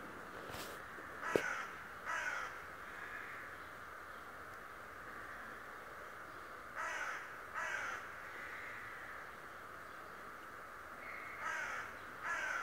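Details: Talking raven said to spy daily, calling in spaced pairs of rough, grating notes, about five calls across the stretch, with long quiet gaps and steady background noise.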